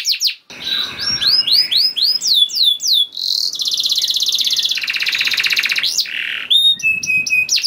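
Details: Canary song played to prompt other canaries to sing: mixed phrases of arched chirps, a long fast buzzing trill, and sharp whistled notes, with changing tempo throughout.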